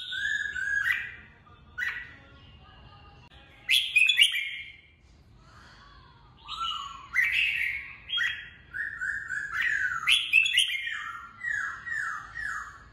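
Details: Red-whiskered bulbul singing for voice training and to excite birds for fighting; scattered whistled phrases at first, then a long sequence of repeated descending slurred whistles.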